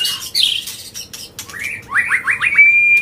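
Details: Agitated white-rumped shama in continuous song to provoke other birds, with harsh scratchy notes at first, then a quick series of about five rising slurred whistles leading into a high steady whistle.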